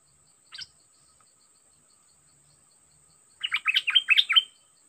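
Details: Caged Dok Taeng bird, used as a decoy with an aggressive wild-caught bird, utters a single soft chip, then after a pause a quick run of sharp, bubbly chirping notes under a faint steady high hiss.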